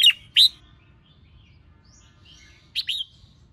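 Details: Female red-whiskered bulbul calling to stir up males: two sharp upslurred whistled notes, a long quiet gap with faint distant chirps, then a short doubled whistled phrase.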